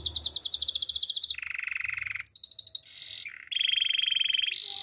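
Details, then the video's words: Spanish Timbrado canary training song built from tours: a bright fast pulsed trill, a low rattling roll, short high notes, a wavering phrase, then a long steady metallic roll and a high burst. "Canaries spanish timbrado songs for training"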